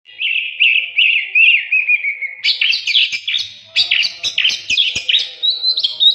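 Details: Oriental magpie-robin song used as a training recording for captive birds; loud, varied warbled phrases with rapid trills and chattering notes, shifting to higher whistled tones near the end, with faint clicks.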